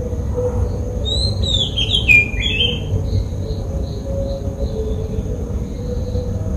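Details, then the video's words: Oriental magpie-robin from Sri Lanka giving a short twisting whistled phrase, followed by faint, evenly spaced high notes, with a continuous low rumble underneath. "Oriental magpie-robin calls"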